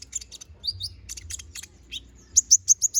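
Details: A Konin bird sings a busy, varied gacor song with full isian, recorded for magpie-robin training: sharp high chirps, a couple of lower whistled slurs, then four loud notes in steady succession.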